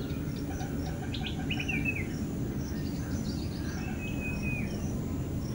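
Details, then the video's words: Flame-throated bulbul calling at End Point, Manipal: a quick run of bright chirping notes, then a steady thin whistle held for about a second, over a constant low rumble. "Flame-throated Bulbul calling"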